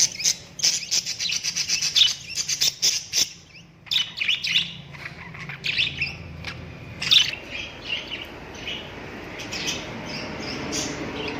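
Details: Cockatiels kept alongside other parrots, chirping: a dense flock chorus of bright, high chirps and squawky chatter, loud rapid bursts over the first four seconds, then softer, continuous overlapping twitters with a faint low hum beneath.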